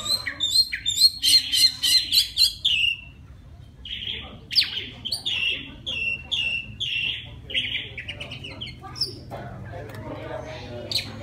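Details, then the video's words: Wild Oriental magpie-robin song aimed at a female: a fast series of repeated sharp notes, about three per second, followed by varied whistled phrases and softer twitters. "Tiếng choè than rừng hót gọi mái"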